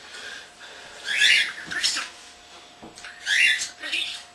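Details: Young pet common starling, under a year old, indoors on April 7, 2010, talking in mimicked human phrases: two clusters of harsh, broadband speech-like bursts about two seconds apart, with a steady faint hum behind.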